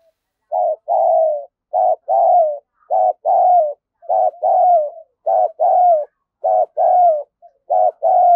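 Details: Spotted dove decoy calling to lure and stimulate wild doves: low, mellow two-part coos, a short note then a longer falling one, repeated steadily about once a second in a quiet setting.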